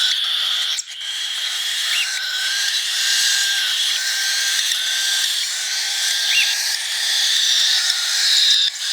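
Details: Hand-fed baby cockatiel chick, March 2021, begging with a steady buzzy, rasping hiss, broken by occasional short squeaky upturned notes and one brief break early on.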